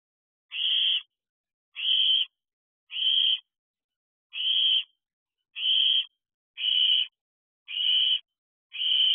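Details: Nighttime barn owl owlets, eldest of the brood, sharing an owl box at 2:14 am on 7/5/23 near dispersal age of 13 weeks, fireworks about; eight evenly spaced, breathy screeching hisses, each lasting about half a second.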